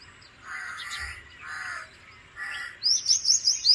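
Bank myna giving three harsh, throaty chattering notes about a second apart, then a rapid series of sharp, high squeaky chirps.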